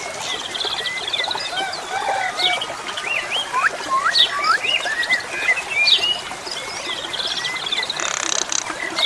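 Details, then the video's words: Asian pied starling (jalak suren) singing a varied run of wavy, slurred whistles and short chirps, some rising in quick hooks, over a steady hiss of flowing water. "SUARA KICAU BURUNG JALAK SUREN"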